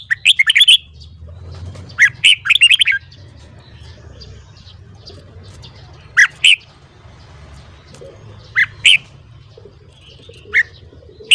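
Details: Red-whiskered bulbul morning training song. It opens with quick clusters of bright warbled notes, then gives sparse single sharp chirps every second or two against a steady low hum.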